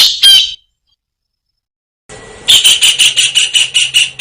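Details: Kingfisher, chattering actively: two harsh notes, a break, then a fast run of rasping notes roughly five per second over a faint steady tone.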